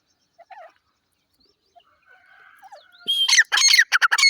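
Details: Grey francolin giving a loud, harsh, rapidly repeated series of grating notes that bursts in after a near-silent start with a few faint bird chirps, the notes coming about two or three per second.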